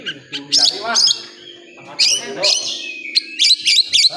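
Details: Oriental magpie-robin at a singing contest area: bright, high whistled and chirped notes in short bursts with pauses, sharp rising slurs near the end, with people talking in the background.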